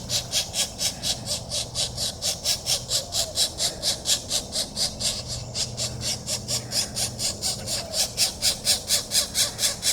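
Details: Begging pileated woodpecker chicks getting fed, April 21, 2024: a fast, regular series of rasping, squeaky bursts, roughly two each second, continuing for ten seconds over a soft steady low drone.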